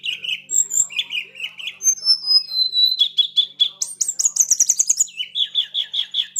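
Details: Flowerpecker, a young mountain bird, singing a lively high-pitched song of thin whistled notes and rapid chattering trills that step between pitches, with buzzy rattles rising to very high, sharp bursts; quiet indoor background.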